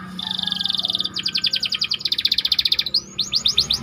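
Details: White canary used as training bait for other canaries, singing tight rolling trills: a fast buzzy rattle, then rapid repeated notes in shifting tempo, ending in quick rising whistled sweeps.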